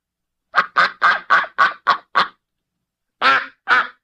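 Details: Duck laughing: a rapid run of seven short, raspy quacks, about four a second, then a pause and two louder, fuller quacks; the recording is otherwise quiet.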